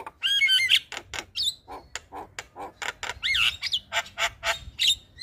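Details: Morning call of a Javan myna that sets other mynas responding: a whistled double-toned opening, then a rapid rhythmic series of harsh, nasal notes broken by swooping whistles.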